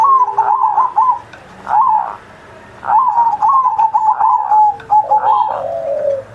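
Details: Zebra dove singing steadily on Indonesia's 79th Independence Day, used to coax young pet doves into song: several stuttering coo phrases separated by pauses, ending with a lower, softer falling coo.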